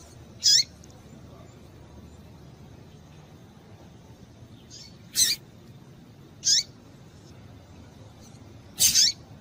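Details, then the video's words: Female double-collared seedeater in breeding condition calling to excite males: four short, sharp, high chips sweeping downward, spaced irregularly a few seconds apart over a faint steady background hiss. "fêmea de coleiro quente para esquentar coleiro"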